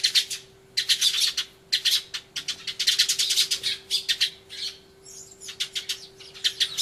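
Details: Sparrows crying loudly in a commotion, recorded 24 March 2013 on an Everio camcorder with a turtle dove nearby: loud, harsh chirps in rapid bursts and short clusters, some squawky, with brief pauses between runs of calls.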